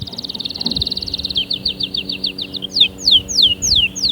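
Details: Canary singing a steady rolling trill of rapid repeated notes, shifting into a slower series of sharp downward-sweeping whistles about every half second.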